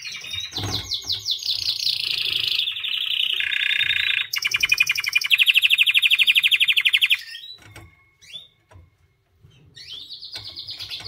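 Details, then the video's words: Pet white canary singing: loud trilled tours of rapidly repeated notes change pitch every few seconds, then a pause with short upslurred whistles and a final trill. "White Canary Singing 🎶 Kanarienvogel Gesang"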